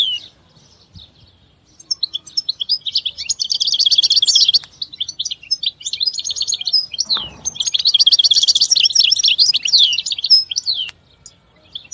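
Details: European goldfinch pouring out a long rambling song of rapid tinkling twitters and buzzy trill passages, with a brief click-like noise midway.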